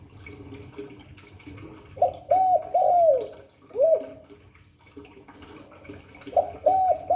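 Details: Spotted dove in the 'Hạp Bổi' cooing style: a phrase of soft, arched hollow coos with a falling drawn-out end, then a lone coo, and another phrase beginning near the end, over low steady background noise.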